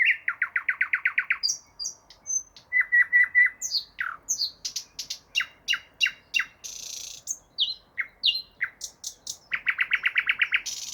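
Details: Unknown bird in full, beautiful song. A rapid trill opens, followed by sharp falling notes, buzzy phrases and high clear whistles, all delivered briskly, and another fast trill at the end.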